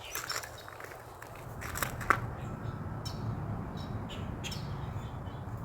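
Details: Pileated woodpecker pecking at a cedar tree in a backyard: irregular, sharp knocks a second or so apart, not a steady drum roll, over a low outdoor rumble, with one faint chirp.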